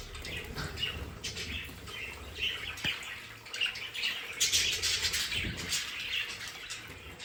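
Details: Budgerigars kept as pets in a decorated play area give a steady stream of overlapping chirps and warbled notes, with a few louder bursts midway and a faint low thump.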